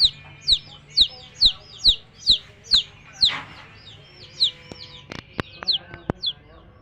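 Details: Baby chicks of a domestic hen chirping: sharp, high, downward-sliding peeps repeated roughly twice a second, steady at first and then looser and more scattered, with a few brief clicks and knocks near the end.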